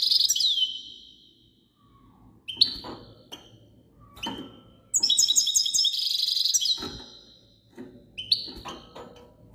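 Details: European goldfinch song: bursts of bright, tinkling twitters and rapid metallic trills with liquid slurred notes, separated by short pauses and soft clicking sounds.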